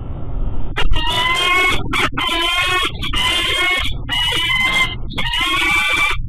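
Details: Male peregrine falcon at the Pitt nest, 2 PM on March 7, 2014, gives five harsh, nasal, wailing calls about once a second over a low rumble, calling to his mate before a courtship bow over the scrape.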